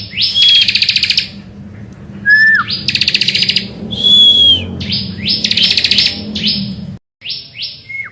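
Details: Lure recording of a bar-winged prinia in vigorous morning song: alternating harsh rattling trills and clear whistles, a falling slurred note, then a run of quick rising sweeps separated by short pauses.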